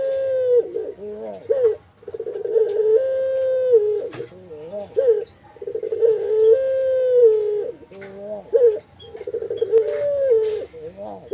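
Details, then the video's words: Caged barbary dove on a bird farm, 'mendengkur' coo: sustained level hums several seconds long, interrupted by brief warbling dips and rolls, with a few short gaps between phrases. "Suara Burung Puter Mendengkur"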